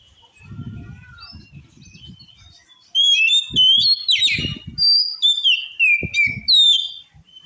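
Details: Oriental magpie-robin delivering song said to rouse other males to fight: soft whistles at first, then a loud run of sliding, warbled notes and chirps, with low knocking and rustling thuds beneath.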